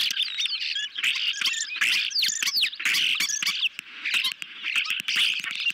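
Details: Evening at an osprey nest in July 2021 as a medium-sized fish arrives for the hungry birds; nest camera picks up busy, piercing chirps and short upward-slurred whistles, repeated rapidly.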